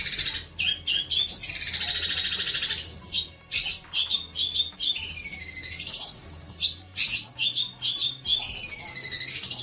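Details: Long-tailed shrike singing, recorded as training material for young birds: long sweeping whistles that slide down in pitch, broken by scratchy chatter and short sharp notes, over a steady low hum.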